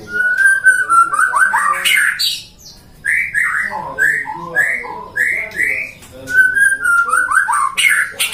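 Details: Captive-bred white-rumped shama from a breeder in Depok, Indonesia, a contest songbird singing vigorously: rich varied phrases of whistled slurs and rapid rising-falling notes, a brief pause mid-clip, then dense warbling resumes, loud and continuous.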